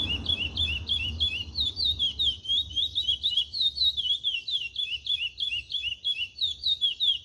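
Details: Chestnut-bellied seed finch delivering cascatinha-style song, a steady stream of quick looping whistled syllables with rolling, tumbling phrasing and faint low rumble beneath.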